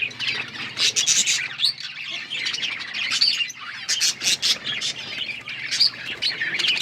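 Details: Pet budgerigars chirping as a group, quick bright tweets and scratchy notes layered continuously, rising in bursts about every second, with a faint low hum underneath.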